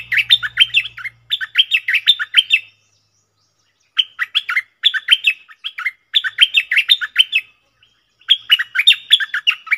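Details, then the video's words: Repeated short phrases of chattering, down-slurred whistles come in four or five bursts separated by silent gaps, the double song of a cream-vented bulbul recorded in June 2021; a low hum at the start. "เสียงนกดอกแตงEp.59 Birds sounds เพลงเบิ้ลของเจ้าเพชร!!Merbah lekir gacor"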